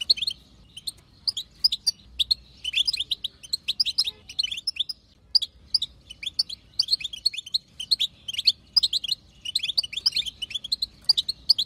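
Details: Bitbita chatter of a wild female European goldfinch, played to stir a male to song: a long run of high liquid twitters, grouped into clusters that recur steadily with small breaks.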